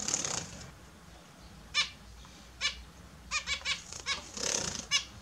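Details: Captive Australian zebra finches at their morning bath give scattered short nasal beeps, a few spaced then a quick run of four, amid the hiss of splashing water.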